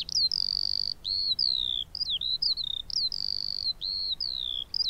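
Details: Skylark pouring out clear, high sustained whistles and downward-sliding notes in quick succession, with short breaks between phrases and a low hum behind.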